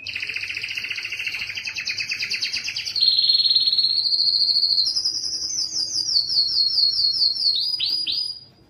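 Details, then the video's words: Canary song to stimulate male singing: a doubled rolling trill, then a smooth high trill stepping upward, finishing with quick falling high sweeps before silence. "مجموعة صوت الكناري لتحفيز الذكر على التغريد"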